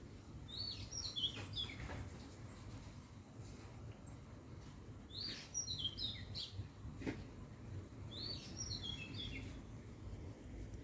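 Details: Birds singing outdoors near an olive tree in Thailand ahead of a storm; repeated bursts of bright, high tumbling chirps every few seconds against a steady low wind rumble.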